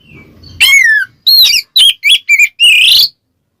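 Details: White-rumped shama calling out a rival in ngeplong style: after a soft low rumble, a loud falling whistle, then quick rough bursts and a final drawn-out rising harsh note.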